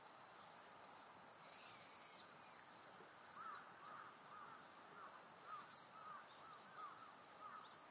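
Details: A white-breasted waterhen on Amami Ōshima gives a run of short, hollow, slightly arched notes, about two per second, over a steady high insect drone.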